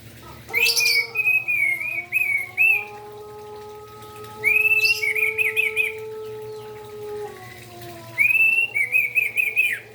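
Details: Orange-headed thrush singing vigorously in the morning to rouse other orange-headed thrushes. It gives three bursts of rapid, bright whistled notes that slide and warble, spaced about four seconds apart. Steady, drawn-out lower tones run beneath them.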